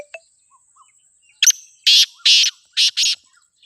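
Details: Kala teetar, or black francolin, calling in Pakistan: a sharp double click, then four loud, rasping notes in a rhythmic phrase lasting under two seconds, with a few soft distant chirps before it.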